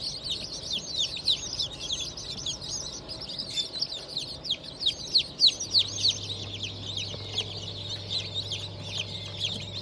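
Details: Chicks just hatched on 25 May 2023, Black Australorp, Sussex and Fayoumi breeds, peep constantly in a shrill, overlapping flock chorus; a steady low hum joins halfway through.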